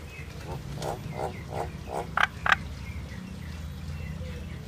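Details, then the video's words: Indian myna song heard at a moderate distance: a steady series of soft, low croaking gurgles, then two sudden sharp clicking notes, over a low rumbling background. "Common myna bird song Indian myna sound | mynah singing"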